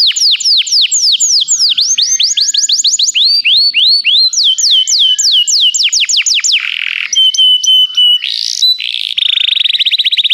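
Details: Canary singing, played to get a canary to sing: loud cascades of descending swept notes, varied trilled phrases, a few pure whistles and a closing fast rattling trill.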